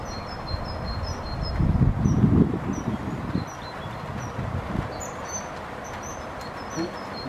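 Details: Common kingfishers, a male and a female, interacting at a Forest Farm bird hide, possibly pre-courting; sharp high piping notes come in quick irregular runs, with a brief loud low thump and steady background rumble.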